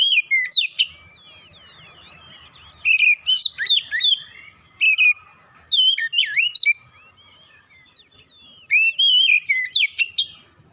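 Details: Kacer (Oriental magpie-robin) singing on a therapy recording for birds that have gone silent: a lively run of loud whistled phrases, sharp upslurred notes and warbles, in several bursts separated by short pauses.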